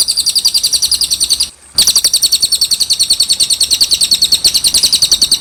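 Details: Cililin song used as masteran tutor recording for training other birds such as young jalak suren: rapid, clear high-pitched chips repeated several times a second in an unbroken stream, pausing briefly once near the middle.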